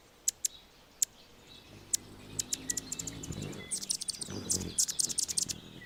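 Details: An Anna's hummingbird singing on a branch in Golden Gate Park, San Francisco, gives a few sharp, high ticks, then a rapid, scratchy jumble of squeaky, buzzy notes, over a faint low rumble.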